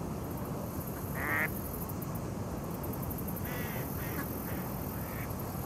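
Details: A mallard at Core Creek Park on 2 September 2018, among mallards and Canada geese, gives a short nasal quack, then a few softer quacks over steady low rumbling background noise.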